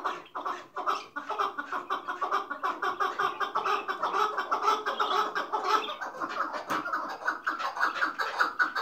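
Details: Hıngırmacı-type chukar partridge, hailed as king of partridges, giving a steady run of rough pulsed chuk notes at nearly two per second, dense and slightly uneven throughout.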